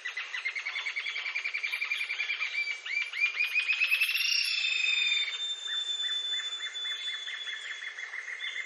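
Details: Green-tailed jacamar from Brazil giving a long run of rapid, high, ringing notes, about three or four a second, rising in intensity midway and continuing as steady repeated phrases throughout.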